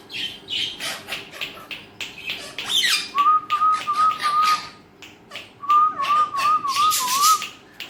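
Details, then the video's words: Talking pet Alexandrine parakeet mixing harsh squawks with a long, level whistled tone that wobbles gently, repeated after a short pause with a rising flourish. "Alexandrine talking parrot"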